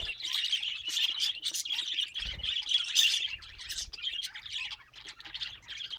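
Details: Pet budgerigars chatter in quick repeated chirps, about four notes each second, with scratchy warbles, squeaks and a soft low thump partway through.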